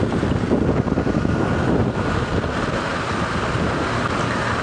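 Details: Steady wind buffeting the microphone and low vehicle rumble fill the recording, with no animal heard.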